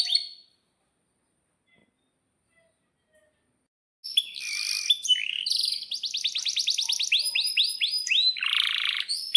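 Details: Caged canary kept to lure other canaries into singing: after a brief chirp and four seconds of silence, a long, continuous high song of rapid trills, buzzy rolls and repeated downslurred whistled notes.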